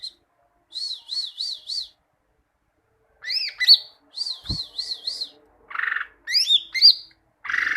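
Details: Greater green leafbird song used as tutor material for training birds to sing: a run of wavering whistled notes repeated about five times, then varied rising whistles and harsh buzzy bursts after a pause.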